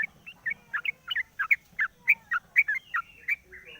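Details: Sooty-headed bulbul in the morning, singing once its cage cover is opened, used as a lure sound: a steady run of short bubbly two-part chirps, roughly three to four per second, with a faint low hum underneath.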